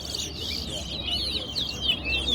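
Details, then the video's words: Towa towa in a stadium singing competition in Guyana delivers sweeping, overlapping twitters and whistles above low crowd rumble. "Towa Towa Bird Competition"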